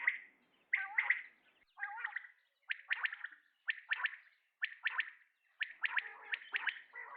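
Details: Calling male common quail: a gurgling start, then clipped phrases of two or three sharp whistled notes, repeated about every second against a quiet background.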